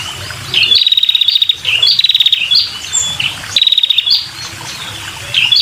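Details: Calling female red-headed prinia, used to attract males, giving fast rattling series of high ticking notes, each burst opened by a sharp upswept chirp, repeated in close succession.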